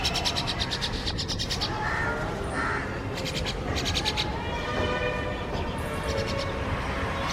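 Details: Mynas, parents still feeding a grown chick that already searches for food and eats by itself, while scolding it; harsh rasping bursts in short repeated runs, high and buzzy, over a steady low rumble of background noise.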